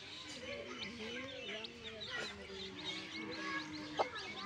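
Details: Newborn baby chicks of backyard chickens: a dense, continuous chorus of high, short peeping chirps overlapping one another, over lower wavering, drawn-out tones, with a sharp click near the end.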